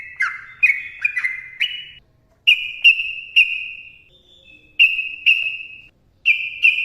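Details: Sooty-headed bulbul giving clear, pure whistled notes: a few quick slurred notes at first, then spaced single steady whistles with short gaps of silence, plus faint clicks.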